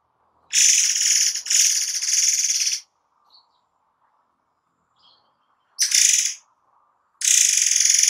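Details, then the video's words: Forktail (murai air) with dense shot-like song bursts for training caged songbirds; two long harsh, high buzzing trills, a short burst near six seconds, then another long trill, with quiet pauses between. "Tembakan RAPAT Murai AIR 90% Jitu untuk Masteran"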